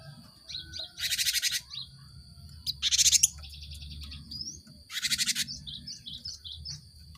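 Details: Cinereous tit song used as a lure to stimulate caged birds to sing. High thin notes over a steady high tone, broken by three loud harsh buzzy chatter bursts.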